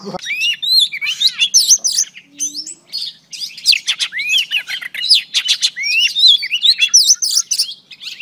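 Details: Singing female oriental magpie-robin, used to rouse a male, delivers a continuous, varied stream of clear rising whistles, sharp downward flicks and scratchy chips, about three or four notes per second. A brief pause comes near the middle.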